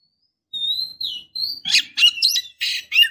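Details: Female Oriental magpie-robin calling a male: two clear, high whistled notes, the second sliding downward, then a quick run of harsh, buzzy, scratchy notes about four to the second.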